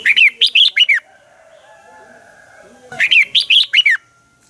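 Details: Red-whiskered bulbul dueling song used as a lure for training birds: two bursts of lively, warbled whistles, five to six notes each sliding downward, separated by a low steady hum.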